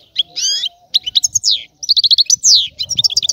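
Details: European goldfinch singing: a rapid jumble of twittering, buzzy and liquid notes in short bursts, with a slurred descending whistle and brief pauses between phrases.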